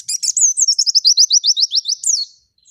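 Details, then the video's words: White-eye, called pleci, singing a forest-style song used as tutor material: a fast, high, sweeping trill of about fifteen downslurred notes over two seconds, ending in a sharp rising flourish. "Masteran burung pleci gacor ngalas"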